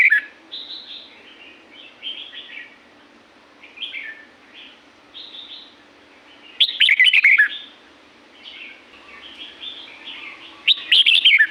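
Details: Red-whiskered bulbul from the Thai La-u forest: soft scattered warbled notes for several seconds, then two loud rich whistled phrases with rapid slurred notes near the end, over a low constant hum.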